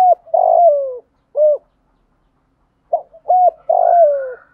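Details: Spotted dove giving gáy gọi calling coos for training decoys: a long falling coo, a single hollow hoot, a pause, then short notes leading into another long descending coo.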